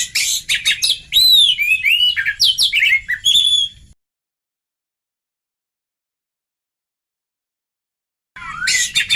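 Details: Oriental magpie-robin song used as a lure to make young magpie-robins respond: about four seconds of rapid, varied whistles and chirps with sweeping and warbling notes, a long silence, then a fresh burst of song near the end.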